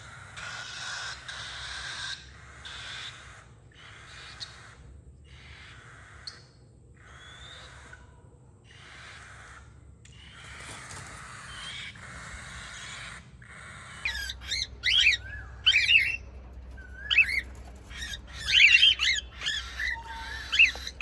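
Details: White cockatiels give sharp, high chirps in quick bursts after a stretch of breathy, hissing noise.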